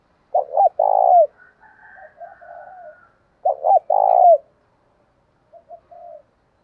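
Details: Spotted dove calling to provoke a fight, used for luring: two loud phrases of two short coos then a long purring coo, each followed by softer murmured coos, repeated after about three seconds.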